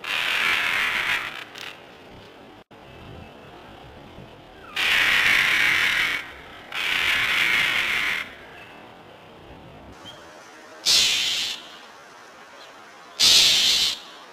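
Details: Northern mockingbird attacking a tabby cat with repeated dive-bombs, uttering harsh, grating rasps of one to one and a half seconds, about six bursts at irregular intervals, the last two shorter and sharper, against low outdoor background noise.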